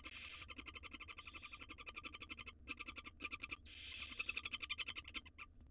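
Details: Wild barn owl nestlings begging while being fed a jird by their mother in a nest box; long harsh hissing snores come in several bursts, layered with fast rhythmic ticking and scuffling.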